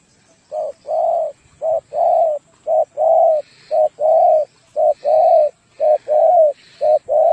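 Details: Spotted dove song, a steady series of low cooing phrases, each a brief coo followed by a longer mellow one, repeated regularly roughly once a second with faint higher chirps in the background.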